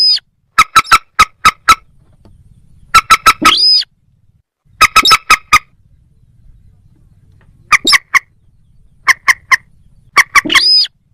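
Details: Moorhen giving bursts of hard, knocking clucks, four to five in quick succession, separated by short silences, some bursts ending in a harsh rising squawk.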